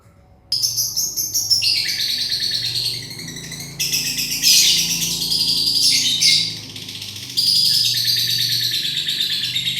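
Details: Lovebird giving a long chattering trill, used as a lure to draw other birds into answering; dense, busy high-pitched twittering runs almost continuously after a brief silent start, with a few louder bursts.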